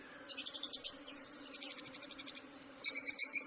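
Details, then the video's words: Lovebird chirping tied to play, eating or excitement: rapid rattling runs of short high notes, a softer blurred stretch in the middle, then a louder quick burst at the end, with low hum beneath. "Lovebirds Chirping Sounds"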